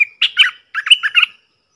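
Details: Wild bulbul that keeps away from a cage, thought to have chicks in its nest, giving a short bubbly phrase: one thin whistled note, then two quick gurgling bursts of several warbled notes, mid-high pitched, in a quiet setting.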